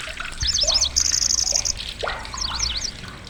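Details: Lanceolated warbler, a migrant reaching Indonesia, singing loud shrill song: a short high insect-like reel about a second long between high zigzag chirps, with lower slurred notes and a watery background.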